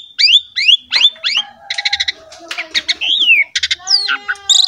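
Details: Asian pied starling in full rich song for coaxing young starlings: rising slurred whistles, pulsed chattering bursts, a looping whistle and scratchy squeals in quick succession.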